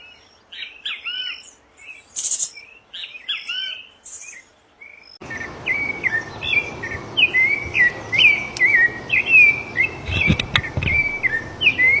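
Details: Wild rufous-bellied thrush singing in nature, varied whistled phrases with downslurred notes; midway the background turns to a broad rushing noise while the fluting, repeated phrases continue steadily at a lively pace.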